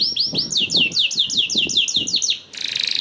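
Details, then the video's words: Canary singing, played to stimulate other canaries to sing along: rapid repeated downward-swept chirps, nearly three per second, ending in a harsh buzzy trill. "PANCINGAN KENARI 1 MENIT MENDENGARKAN SUARA KENARI DIJAMIN KENARI IKUT BUNYI #21 || VOICE OF CANARY"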